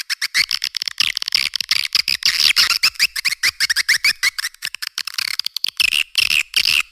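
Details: Edible-nest swiftlet lure call used to attract swiftlets for cave and farm nesting, a dense run of sharp clicking chirps repeated rapidly, buzzy and high-pitched, with steady rhythmic pulses throughout.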